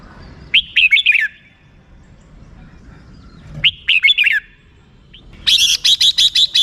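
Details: Red-whiskered bulbul with rik-style song. Two quick, warbling phrases are followed by a fast, evenly spaced run of about seven sharp, high, ringing notes.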